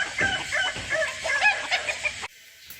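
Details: Kukuak Balenggek rooster kept by a hobby breeder, heard in a short burst of rapid, clipped crow syllables lasting about two seconds before it cuts to near silence.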